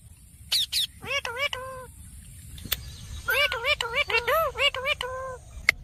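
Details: Parrot talking in a rapid string of short, rising-and-falling, voice-like syllables in two bursts, with sharp high chirps between them.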